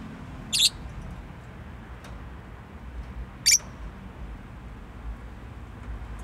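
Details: Two isolated, sharp, high chirps from a pet bird, about three seconds apart, against quiet low background noise.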